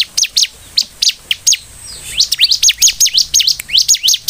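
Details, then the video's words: Bar-winged prinia (ciblek) singing hard, used as a lure so other prinias respond: spaced sharp chirps at first, then a denser volley of high, sweeping chip notes repeated several times a second. "SUARA CIBLEK GACOR INI ( Pancingan ciblek)"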